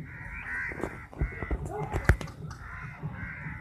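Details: Crows fighting over chapati; drawn-out hoarse caws from several birds, a sharp knock in the middle, and low rumbling throughout.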